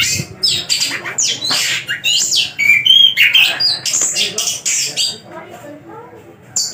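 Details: Caged Javan long-tailed shrike singing steadily, a jumble of scratchy chatters, harsh notes and bright whistled slurs, trailing off into softer, lower notes before a final sharp burst.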